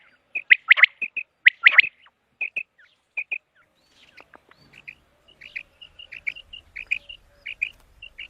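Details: Common quail, a call meant for quail hunting: loud clipped double and triple notes at first, then a fainter run of short high pips repeated steadily, with light background noise.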